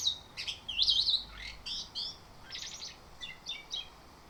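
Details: Morning lure song of an orange-headed thrush, meant to spur another bird into rolling, open song; a dense string of high twittered and warbled phrases, some wavering, others clipped, follow one another with short gaps.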